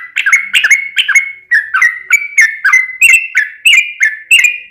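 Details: Sooty-headed bulbul singing to prompt other bulbuls to answer: a steady series of short bubbly, slurred phrases, roughly one every half second, each with a quick rising and falling twist.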